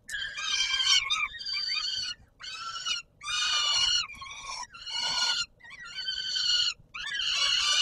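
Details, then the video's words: At the Warsaw Palace of Culture and Science on 17 July 2022, a peregrine falcon screams harshly at feeding time, repeated cries of half a second to a second, some quieter, some louder and rougher. "Sokół wędrowny PKiN Warszawa - Chłopaki wstawać kolacja"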